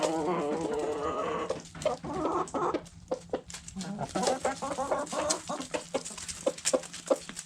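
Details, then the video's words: Backyard hens and roosters eating food scraps: a run of throaty clucks at the start, then sparse clucks among many crisp, rhythmic pecking clicks. "Backyard Chickens Food Scraps Mukbang Sounds Noises Hens Clucking Roosters Crowing!"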